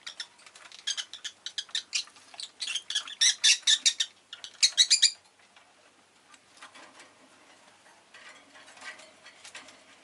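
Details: Rosy-faced lovebird kept at home, chirping: a fast run of sharp, scratchy high chirps that builds to a dense loud burst, then softer chattering notes with faint background hiss.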